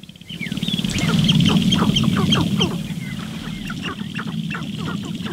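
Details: Sharp-tailed grouse on a lek in the morning, a female visiting while males display intensely, recorded with a Rode microphone; dense overlapping clucking, cooing and popping calls from several birds over a steady low rumble.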